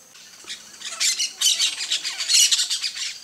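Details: Yellow-chevroned parakeet (Brotogeris chiriri) perched on a coconut palm, producing dense harsh, high squawking chatter in rapid overlapping bursts, loudest in two clusters.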